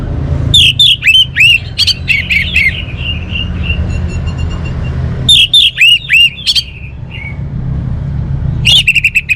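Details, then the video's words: Orange-headed thrush repeating loud, rapid strings of sharp whistled notes in three bursts, softer chirps between them and a low rumbling background. "suara burung Anis Merah"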